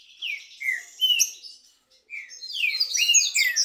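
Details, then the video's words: Two green-winged saltators (trinca-ferro) in a singing dispute: a few loud, slurred whistled notes dropping in pitch, a short pause, then a dense, overlapping burst of bright whistles and chatter. "DISPUTA DE 2 TRINCA FERRO CANTO E MACHIADO ESQUENTA ATÉ CHEBA"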